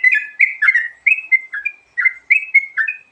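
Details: Sooty-headed bulbul giving a varied fill-in song used for luring birds: quick bubbly, slurred whistled notes in short two- and three-note phrases, rising and dipping, tumbling out several times a second with barely a pause.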